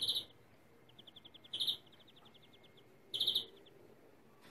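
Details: European greenfinch singing a stuttering-style song of bright, fast trilled bursts about every one and a half seconds, with quieter runs of chirping notes between them over faint hiss.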